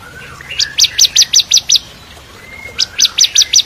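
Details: Bar-winged prinia (ciblek kristal) singing as tutor for magpie-robins and shamas: a low whistle leads into seven sharp high chips, a pause, then a second run of five chips.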